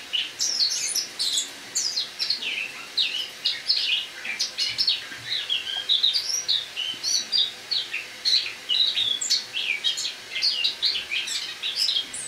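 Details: Caged Eurasian blackcap giving autumn song in a kitchen on the morning of 1 October 2017, a long, steady warbled subsong of rapid twitters and downslurred whistles pouring out almost continuously.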